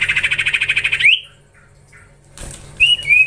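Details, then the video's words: Common iora (cipoh) call used while training young birds: a fast pulsed trill lasting about a second and ending in an upward whistle, then quiet, then rough noise and two short whistled slurs. "Gacorrr ngelatih cipow cipoh anakan"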